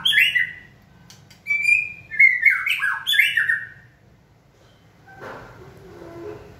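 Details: White-rumped shama being stimulated to sing during training: a few seconds of clear whistled notes sliding and stepping between mid and high pitches, followed by a soft rustling, scraping noise.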